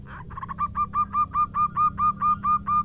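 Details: Zebra dove of a local strain giving an even series of about a dozen clipped coo notes, five per second, over a steady low hum.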